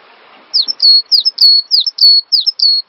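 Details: Cinereous tit song used as a master to make songbirds sing: crisp, downward-slurred whistles each followed by a level note, repeated in a quick, even series over a faint background murmur.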